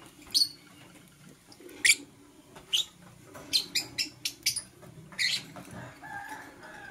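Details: Green and blue masked lovebirds chirp in the morning: scattered sharp, high, scratchy notes, then a quick run of six clipped chirps, with faint background murmur.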